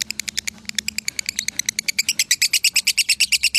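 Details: Lovebird in Salatiga, Indonesia, delivering konslet masteran song: a rattling series of bright, piercing chirps that starts uneven, then quickens and grows louder into a steady rapid pulse.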